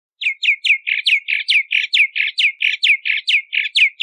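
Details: Bahama mockingbird repeating one falling whistled note about four times a second, alternating with fuller buzzy notes, a steady rhythmic series lasting several seconds.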